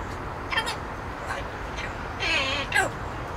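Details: Pet parrot from an indoor free-flight aviary, placed in a cage for safety, practicing his whistle; short wavering harmonic notes in bursts, a longer warbling note past the two-second mark, over steady background hiss.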